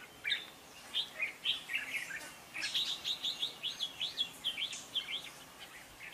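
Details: Red-whiskered bulbul singing in a fighting song contest, used as a decoy to trigger and train song: a fast sequence of clear, warbled whistled notes, strongly rhythmic and nearly continuous, over a quiet background.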